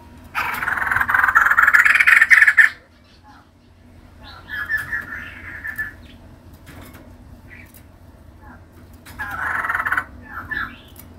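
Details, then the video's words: Female white-crested laughingthrush singing actively: loud, dense chattering bursts of harsh, harmonic notes, a long opening phrase, then a quieter burst around the middle and another near the end, with pauses between. "Poksay jambul putih betina gacor"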